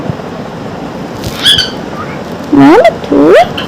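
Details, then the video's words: Pet parrot chattering in the morning: a short whistled note, then two loud rising, wavering voice-like squawks in quick succession, amid household noise. "non stop talking parrot"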